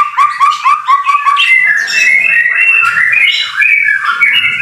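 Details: White-rumped shama training song in rain. Quick repeated whistles open into long, warbling, slurred phrases that waver up and down, over a faint low rumble.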